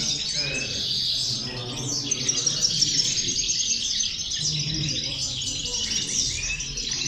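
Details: Grouped female European goldfinches singing as a motivator for goldfinches: continuous bright twittering and fast trills, steady throughout, with a soft low hum behind.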